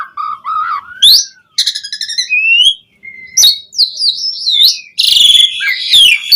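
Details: Asian pied starling song as a lure for other starlings: a low warbled whistle, a long gliding slur, nasal rasping phrases and twisting high whistles, ending in a harsh buzzing burst.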